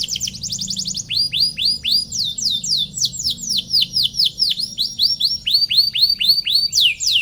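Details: Canary in long gacor song meant to provoke rival canaries: a brief rattle, then a string of bold swooping notes, about four each second, with faint overlapping trills.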